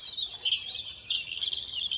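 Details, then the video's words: A male bluethroat singing in mid-April, at his peak singing activity, in a new river floodplain and swamp on the north bank of the Lower Rhine, Netherlands: a rapid, unbroken stream of high, varied twittering and chirping notes with quick pitch jumps. "A singing bluethroat welcomes me. Now, mid-April, his singing activity peaks."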